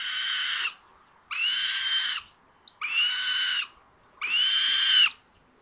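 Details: At a common buzzard nest in Tiszalök, Hungary, 06:18 on May 30, 2022, while a sister steals prey from her brother: four long, rasping screams of under a second each, separated by short silences, with a faint click between.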